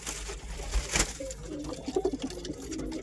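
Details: After a sharp knock, a pigeon gives a few short, low, bubbling coo notes in quick succession.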